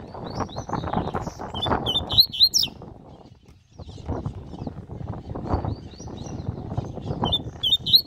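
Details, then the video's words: Caged coleiro (double-collared seedeater) in training, giving short bursts of high, sweet, twisting whistled phrases in a few bouts, over loud low rumbling and clattering background noise. "COLEIRO FALCONE DANDO UM TREINO"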